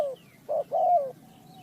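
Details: One spotted dove phrase recorded during bird trapping in Ninh Thuận: the tail of a falling coo, then a short hollow note and a drawn-out descending coo, over a quiet low background.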